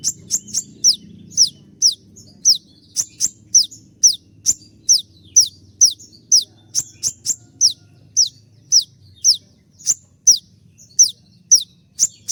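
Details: Konin in molt, still singing hard, in a rapid 'tembakan' shooting style for training birds: sharp high notes slurring downward, repeated about twice a second, over a faint low hum.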